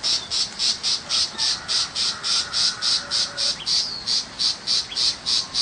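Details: Tiger shrike, a common small shrike that does not copy other birds, in a rural setting. Regular, grating notes repeat about four times a second without pause, with a faint thin whistle from another bird in the background.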